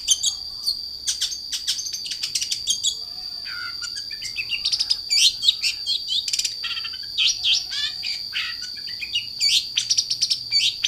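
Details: Long-tailed shrike in full song: a varied, fast jumble of sharp chirps, trills and sweeping notes, with a steady high whine running beneath throughout.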